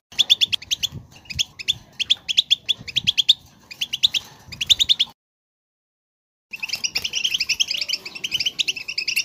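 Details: European goldfinch song played to prompt a goldfinch to sing: rapid twittering bursts of high liquid trills and chirps in repeated phrases, a short silent gap, then denser continuous twittering.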